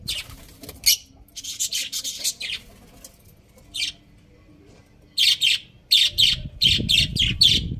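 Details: Budgerigars chatter in fast runs of raspy high chirps, loosely rhythmic at roughly eighty notes a minute, with a low rumbling noise entering toward the end.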